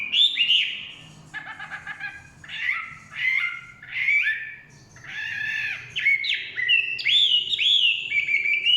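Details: Chinese hwamei song in forest: varied phrases mixing harsh buzzy notes and rich swooping whistles, separated by short pauses, ending in a loud rising whistled series.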